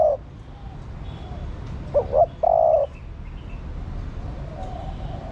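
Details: Female spotted dove call meant to stimulate the male: end of a coo, then one full phrase of two short upward notes and a longer steady coo, followed by quiet background.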